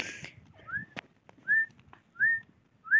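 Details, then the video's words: Grey francolin, the Dakhni type, giving clear, rising whistled notes, repeated about every three-quarters of a second, with a few faint clicks between. "Gora Teetar ki Awaz"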